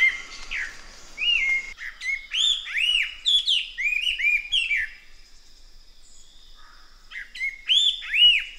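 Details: Chestnut-eared laughingthrush giving loud, looping whistled phrases that run together in a rich, bubbly chorus, then a short quieter pause before more bright, arching whistles return.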